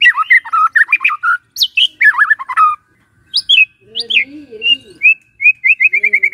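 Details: Lively White-rumped shama song mixing rich warbled phrases, high sliding whistles and a closing run of short repeated notes, with a softer low wavering sound beneath midway.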